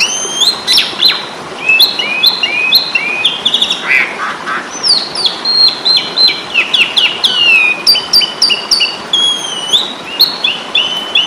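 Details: Asian pied starling known locally as jalak suren, fighting song from Indonesia: dense, lively stream of squeaky whistles, stepped chirps and nasal squawks continuing without pause.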